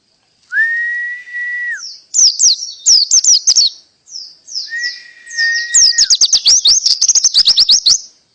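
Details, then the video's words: Canary 'tembakan' song: a long flat whistle, then clusters of sharp high chirps, another whistle, and a closing run of very rapid, loud staccato trills. "Pleci Full Tembakan kenari canary"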